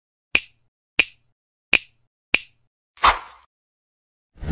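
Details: Four crisp snapping clicks spaced under a second apart, then two duller thumps, in an otherwise quiet room, with no animal voice heard.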